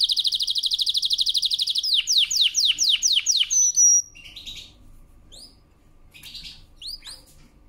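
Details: Canary singing for training: a rapid even trill, then a series of loud downward-swept whistles about three per second, then a pause broken by sparse short chirps.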